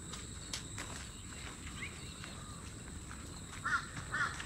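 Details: A Tawny Grassbird at Oxley Creek Common, Brisbane, Australia, on a wet morning after days of rain, near grassland and a cattle fence: two short, harsh mid-pitched notes about half a second apart, over a steady high insect hum and footsteps.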